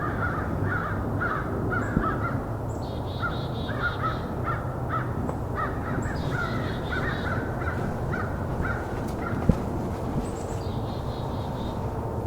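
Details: Excited American Crows raising a racket along a winter trail during a Christmas Bird Count, possibly reacting to a predator or rival crows; dense overlapping harsh caws from several birds, some higher and thinner, continuing throughout, with low background rumble.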